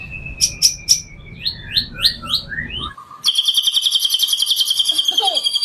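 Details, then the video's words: White-rumped shama in full song, used as a lure for other shamas: a run of rising whistled notes and sharp chips, then a dense high rapid trill repeated steadily to the end. "Murai batu full materi,cocok buat pancingan murai batu lainnya"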